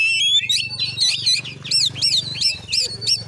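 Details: Oriental magpie-robin in fighting mode, recorded during a vocal test at a house in Padang Gading village, Muko Muko, Bengkulu, Indonesia: fast, loud run of high whistled notes and sharp repeated chevron-shaped chirps over a steady low hum.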